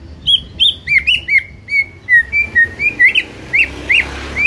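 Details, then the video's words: White-rumped shama in song, played to wake a silent shama into singing: a brisk string of short, bright whistled notes, each slurred upward, repeated steadily over four seconds. "MUTAI BISU SONTAK NGAMUK PLUS GACOR KOAR KOAR"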